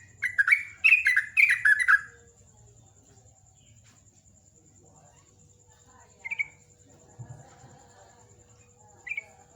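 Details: Sooty-headed bulbul in morning song, opening with about two seconds of bubbly, tumbling chirps. Calm stretches follow, broken by a few isolated short notes and faint scattered background sounds.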